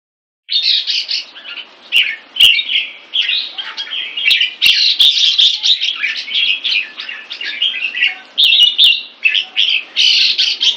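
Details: Caged red-whiskered bulbul kept in Singapore, in 75% molt, singing a continuous rich warble of short, bubbly, slurred phrases at mid-high pitch, with brief pauses and sharp clicking knocks scattered through.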